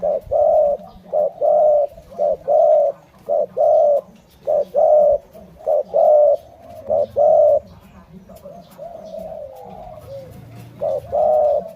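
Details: A Malay-line spotted dove coos rhythmically, a quick note leading into a longer hollow coo, over and over. A short quieter gap with faint warbling comes before the coos resume.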